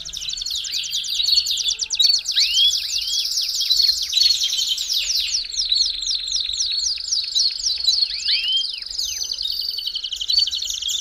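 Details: Belgian canary singing, a recording meant to warm up a canary quickly: rapid high trilled phrases blended with sharp upward-sweeping whistles, an unbroken energetic flow of rolling notes throughout.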